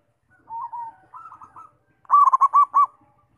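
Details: Zebra dove song used to provoke other doves into singing: a soft, wavering low coo followed by a loud burst of five quick, rhythmic bubbling coos on one pitch, in clean quiet surroundings.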